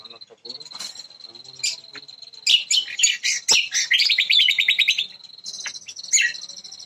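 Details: Jambu bird, a native bird of West Nusa Tenggara, from Bima, described as a first-place contest winner singing in full voice: busy high chirps building into rapid, loud, repeated trilled phrases in the middle, over a steady thin high tone.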